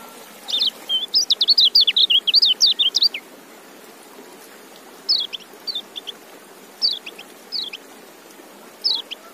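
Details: Lively white-eye song opens with a rapid run of high, sweet twittering notes for about three seconds. Scattered brief chirpy phrases follow, with a low steady background hiss.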